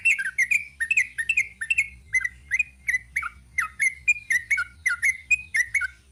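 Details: Sooty-headed bulbul singing a long 'ropel panjang' sequence of brisk, rhythmic chirps and liquid slurred notes, delivered in steady pulses of about two per second.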